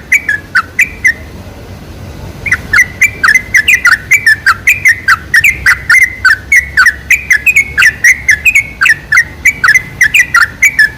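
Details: Sooty-headed bulbul singing as a lure for other bulbuls, a long run of fast bubbling, warbled notes repeated several times a second with little pause, brief hesitation near the start.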